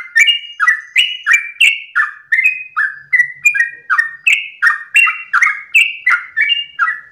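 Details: Long ropel song of a sooty-headed bulbul at daybreak: about twenty lively, slurred whistled notes in an unbroken rhythmic run, alternating rising and falling phrases, with faint low noise briefly in the background.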